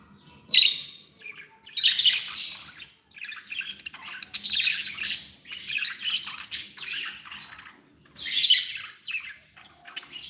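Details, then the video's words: Happy pet budgerigars squawk and warble in separate bursts, sharp loud notes about every two seconds with softer chattering between. "Happy budgies sound"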